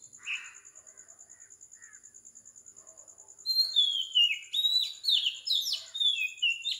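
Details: Oriental magpie-robin singing at 4 am on the tropical island of Sri Lanka; after a quiet start with a few faint chirps, loud varied whistled phrases with slurred, descending notes begin midway, over a steady high pulsing insect-like tone.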